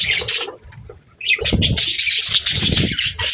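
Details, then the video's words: Relaxing budgie sounds: scratchy high chirping, a quieter lull near one second, then lively chatter resumes over soft low thumps and rustles. "Parakeets Chirping for Lonely Birds | Relaxing & Happy Budgie Sounds"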